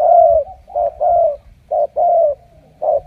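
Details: Cooing of a wild-caught spotted dove, a super cooer; mellow low notes, a short coo followed by a longer falling one, with brief pauses between phrases and a faint low hum behind.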